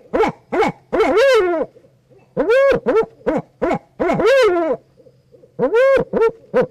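Barred Owl giving a run of loud, rich hoots in uneven bursts, some arched and drawn out with a slight wavering, others short and clipped.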